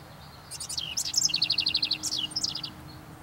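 A house wren sings a bubbly, tumbling song of high chips that runs into a fast, even trill of about a dozen notes, then scattered sputtering notes, over faint low hum.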